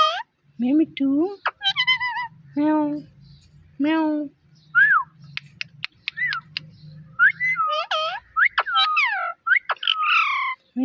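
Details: Pet talking parrot mimicking words and meowing, repeating short phrases like "Mimi too" and cat-like meows; harmonic voiced syllables mixed with rising and falling whistled notes, with a low hum under the first half.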